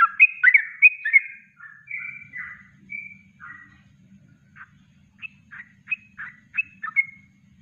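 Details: Yellow-vented bulbul (trucuk) kongslet song, natural master recording: a dense burst of bubbly notes opening, slowing into short whistles and then separate clipped chirps spaced roughly every half second, a faint hum beneath.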